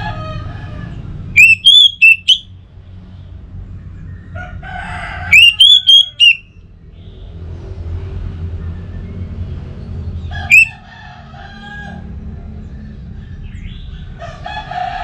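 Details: Orange-headed thrush lure song, played to prompt caged thrushes to sing: three bursts of loud, sharp whistled notes around a high pitch, each lasting about a second and spaced several seconds apart, over a low hum with softer harmonic calls between.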